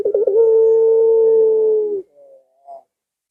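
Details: Barbary dove call meant to lure pet doves at home into calling: a brief rolling stutter then one long, steady, low hooting note lasting about two seconds, followed by two soft short notes.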